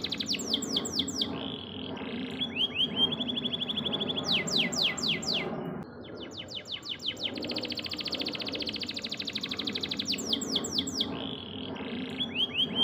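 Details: Canary song used as a training recording for caged songbirds: rapid high trills of sweeping notes, buzzy rolls and repeated chirps in quick bursts, over a steady low background hum.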